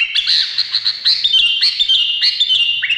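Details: Bulbul, called Indonesian, pours out a dense chatter of quick bright chirps and short upward-slurred whistles, loud and continuous with a quiet background.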